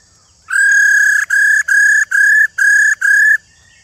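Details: Old wild female laughingthrush giving her call to excite male birds: a series of six strong, flat, whistled notes, the first longest, the rest shorter and evenly spaced, clear against near silence.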